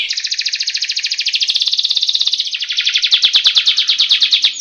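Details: Canary singing a continuous ngeroll rolling trill, a training song to make birds sing: a rapid buzzy pulsed trill running the whole time, shifting to a harsher, broader rattle partway through.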